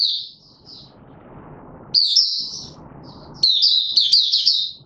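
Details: White-eye male, caged, singing its opening song during form training on 31 December 2021: a few high warbled snippets, then two lively twittering bursts, with background rumble in the gaps.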